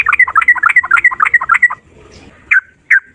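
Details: Sooty-headed bulbul in rapid ropel song: a hurried jumble of bubbly, warbled notes for almost two seconds, then a pause and two loud single chirps.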